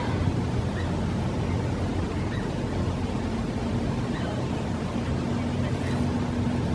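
Steady broadband rumble of wind or water with a low hum, and no animal calls heard.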